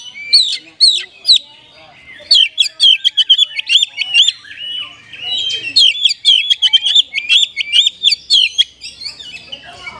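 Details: Caged Oriental magpie-robin in full 'gacor' song with rich fill-ins, used to push lazy caged birds into singing: paired high whistles, then long rapid runs of clipped whistled notes about twice a second.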